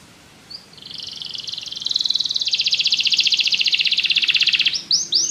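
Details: Canary song as a sustained fast buzzy trill that rises in loudness, with a short descending flourish of notes at the end.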